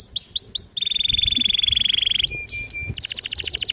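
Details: Singing canary used to prompt young canaries to learn: four sharp downslurred whistles, then a long rapid rolling trill, a few clipped notes over a steady tone, and a final quick pulsed trill.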